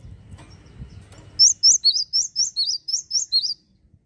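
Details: Java sparrow in full song meant to rile rival birds: low rumbling background noise gives way to a string of nine bright, high, upslurred chirps about a quarter second apart, then quiet.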